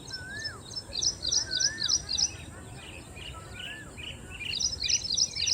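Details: Singing ashy prinia: a quick series of sharp, high repeated notes, a short break filled with softer calls and lower slurred whistles, then the rhythmic high phrase starts again, over a steady hiss.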